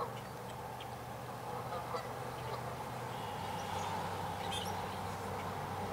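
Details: Canada geese honking at an angry mute swan: a dense, continuous chorus of overlapping nasal honks from several birds, with a steady low hum underneath.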